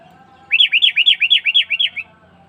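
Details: Sooty-headed bulbul call used as a lure for wild birds, a steady string of about eight bright, arching chirps, evenly spaced over a second and a half, with a faint steady hum beneath.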